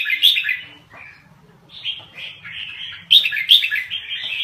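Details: Caged red-whiskered bulbul of the Lao type in rolling, rapid song: a short chirpy warble, a pause, then a longer run of bubbling whistled phrases ending in sharp bright notes.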